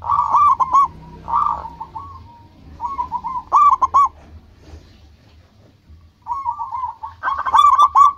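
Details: Active local zebra dove song used to attract rivals and call companions: repeated phrases of stuttering, bubbling coos with short pauses, the last phrase loudest and densest; low hum throughout.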